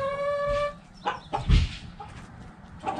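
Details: Backyard chickens: a rooster's drawn-out harmonic crow fades after about a second, then a few short, scattered clucks follow over a low rumble of background noise.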